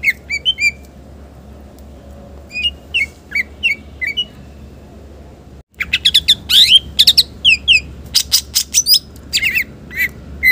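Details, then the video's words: A green leafbird sings a rapid, varied run of sharp whistles, chirps and trills, sometimes slurred upward, with brief pauses and a sudden break midway. "Cucak ijo gacor Bongkar isian mewah Muzarab"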